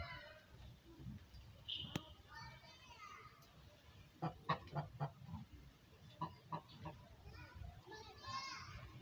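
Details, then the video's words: Pet goose calling while talking to its owner: a series of short, nasal, harmonic honks clustered in quick bursts in the middle and near the end, with quieter murmuring notes and faint background noise between. "goose talking to me..quacking words"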